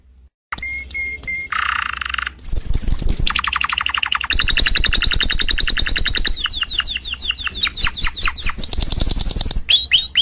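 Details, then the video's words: Canary song from a prepared CD: whistled pips, a buzzy roll, then loud continuous rapid trills and repeated sweeping notes, with some low rumbling noise beneath. "Chant Canari CD 2016- اسطوانة تغريد كناري جاهزكاملة"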